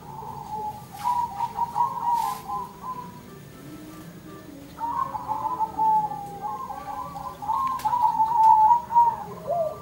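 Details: Zebra doves exchanging songs: two long runs of fast, bubbling staccato coos separated by a lull of several seconds, with faint clicks in the background.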